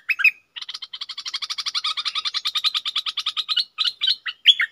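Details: Red-whiskered bulbul decoy bird opens with a sharp whistled note, then runs into a steady, rapid buzzy rattle of even pulses, ending in several loud slurred chirps.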